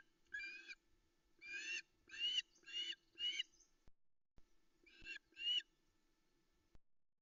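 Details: At a Loch Arkaig nest on a misty August dawn in 2020, a female osprey calls while awaiting a fish from her mate: loud, harsh, whistled notes in short bursts, a quiet gap, then two more sharp calls.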